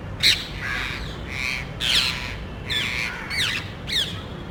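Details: Small flock of parrots looking for nesting spots in a residential area; rough squawks, several downward-sweeping, spaced roughly every half second over a low hum.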